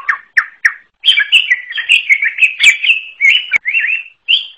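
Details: Greater green leafbird, forest type (cucak ijo alas), giving an unusual song: three short separate whistled notes, then a busy run of warbled, slurred whistles and chatter that rises and falls without a break. No other sounds.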